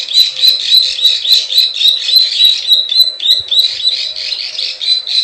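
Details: Plain prinia (prenjak sawah) giving the klik klik ciwah call used as a lure for wild birds: fast, steady, high buzzy notes, roughly three or four each second, with crisp ticking clicks above and a brief break near three seconds.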